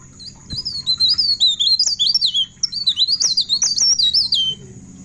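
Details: Pied bushchat in full song at midnight, giving a rapid run of clear twisting whistles, each a bright rising or falling slur, tumbling without pause for four seconds. A thin steady tone sits in the background.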